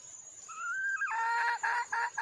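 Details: Female red junglefowl in the wild calling for a mate: a long, smooth, slightly rising whine that breaks into a harsh buzzy note, followed by a few short, rough clucks.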